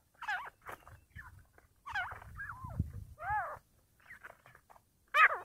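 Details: Fighting partridges give harsh, arching squeals in uneven bursts, some rising and falling, with low scuffling and rustling noise beneath.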